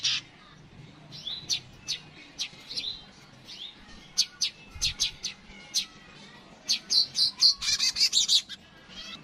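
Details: Yellow-headed weaver giving scattered sharp clicks and short rising chirps at irregular intervals, ending in a quick burst of buzzy chattering notes, offered as master material for training songbirds.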